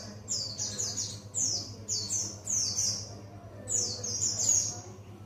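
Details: Buxtoni white-eye learning ngalas song, giving five clipped, very high twittering phrases that each drop in pitch, with a low background hum throughout.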